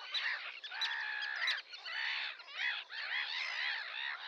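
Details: Sandwich terns giving loud, harsh, grating calls in overlapping bursts, with brief sharp clicks at the start and calls rising and falling in waves.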